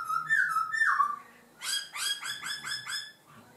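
A laughingthrush sings a loud, slurred whistle that drops in pitch, then a quick run of five or six rich, rising notes in rapid succession.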